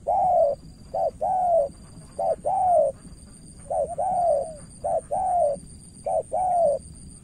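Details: Spotted dove in Cà Mau, Vietnam, a decoy trying hard to win over an experienced rival. It repeats mellow paired coos, a quick note then a sustained falling one, about once a second, with a thin high whine in the background.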